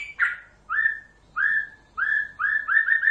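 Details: White-rumped shama singing to prompt other shamas to reply: short rising whistled notes, each with a faint higher overtone, repeated at uneven gaps and speeding up toward the end.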